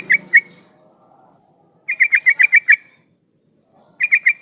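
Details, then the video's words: Yellow-vented bulbul singing a lure phrase to coax other bulbuls into song: two quick notes, then a fast run of about seven bubbly chattering notes and a short three-note phrase, with brief low noise at the start. "suara pancingan trucukan gacor jadikan burung trucukan nyaut dan bunyi"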